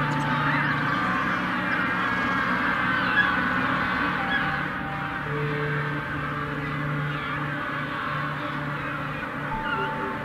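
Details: A huge colony of thousands of king penguins on the shore of South Georgia Island makes a dense, unbroken din of trumpeting over one another, wavering honks blending into a steady roar with a low hum underneath.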